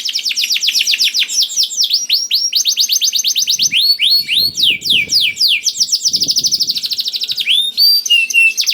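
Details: Active canary singing to encourage reluctant canaries: a varied run of rapid high trills, downward swoops and quick rolling phrases changing every second or two. Soft low rustling bursts sound in the middle.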